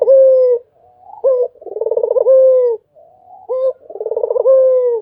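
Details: Nonstop cooing from a Barbary dove: two phrases, each a short abrupt note, a rapid purring roll and a long level-then-falling coo, about two and a half seconds apart.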